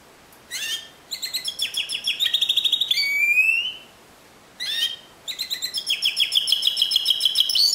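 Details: Discontinuous Timbrado canary song. Each phrase starts with a short chirp burst, builds into rapid pulsing metallic trills and ends in a rising whistled glide. After a pause, a second phrase follows the same pattern.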